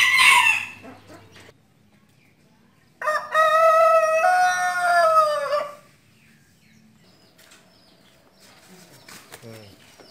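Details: Rooster crowing: a single loud, harmonic-rich crow lasting nearly three seconds, starting abruptly and holding a fairly level pitch before breaking off, preceded by a brief noisy burst and followed by quiet clucks.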